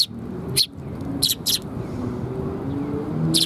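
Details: Several Eurasian tree sparrows arriving to be fed at a Tenmangu shrine in Japan, 10 April 2021: four short, bright chirps scattered across the clip, with a steady low rumble of traffic-like background noise underneath.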